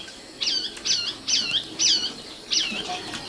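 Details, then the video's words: Young nightingale, called sikatan londo, repeating a single sharp downslurred note five times, roughly every half second, with short pauses between. "kicau burung sikatan londo matal"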